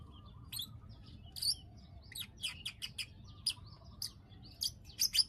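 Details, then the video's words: Bar-winged prinia (ciblek) 'klik klik' calls played to bring birds into breeding condition; bright, sharp clicks at irregular short intervals, clustering toward the end, over a quiet low rumble. "pancingan burung klik klik agar birahi"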